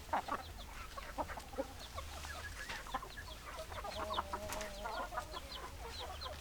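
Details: Chickens clucking softly with scattered short, sharp higher notes and a drawn-out wavering cluck near the end, over a constant low hum.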